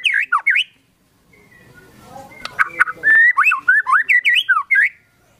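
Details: White-rumped shama singing with mimicked phrases: quick looping whistled notes, a pause with faint background noise and clicks, then a rapid series of fluid rising-and-falling whistles, strong and clear.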